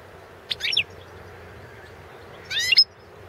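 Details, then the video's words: European goldfinch of the Balkan subspecies, Carduelis carduelis balcanica, recorded for the 2016 World Championship in Goldfinch Song in Serbia, giving two short high twittering bursts about two seconds apart over a quiet background hum. "World championship in Goldfinch Song 2016"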